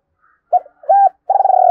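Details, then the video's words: Spotted dove call used as a lure to provoke males: two short low coos followed by a longer, pulsing, throaty coo, clean with no background. "cu gay kich boi nhanh noi/ tieng cu moi chuan de kich boi"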